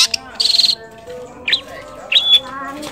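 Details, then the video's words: Long-tailed shrike singing a varied, mimicking song: a buzzy high burst, a short rising whistle, then a bright whistled phrase sliding upward, with steady low background tones. "masteran burung cendet atau pented bayak isianya"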